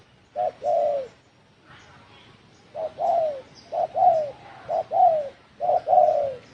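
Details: A spotted dove calls in the "đồng thổ sấm" style used to provoke wild birds, 2020. After one opening pair and a pause, soft two-part coos follow one another: a short tap, then a longer descending note.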